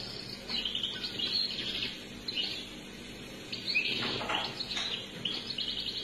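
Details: Unedited cassette recording of an Algerian European goldfinch singing: an almost continuous run of rapid, tinkling, high twitters and trills with buzzy notes mixed in, heard over a constant background hiss.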